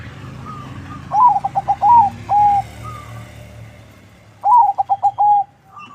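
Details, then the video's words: Crossbred local-Bangkok zebra dove kept as a lure bird sings two loud phrases. Each is a burst of rapid stuttering notes followed by longer mellow coos. Faint cooing from other doves and low hum fill the gaps. "Perkutut crossing lokal silangan bangkok suara merdu, untuk pancingan"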